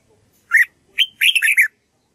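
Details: Red-whiskered bulbul practising its song: a short rising note, a brief slurred note, then a quick run of three or four warbled, bubbly syllables, bright and clear against a quiet background.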